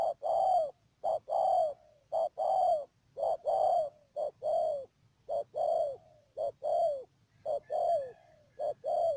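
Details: Spotted dove serving as a trap decoy at Mương Điều, Đầm Dơi, Cà Mau, 12 March 2019, calling steadily: loud coo phrases of clipped notes and falling drawn coos, nearly continuous, with a faint constant high tone.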